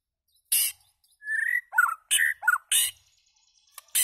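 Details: White-rumped shama calling and singing: loud harsh broadband notes alternating with short whistled and warbled phrases, a clear rising whistle early on.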